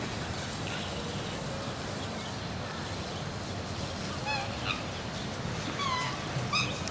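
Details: Courting black swan pair in Germany in December, coordinating behaviour ahead of pairing; after several seconds of steady background rumble, a run of short harmonic bugled notes and whistly calls rises from the noise.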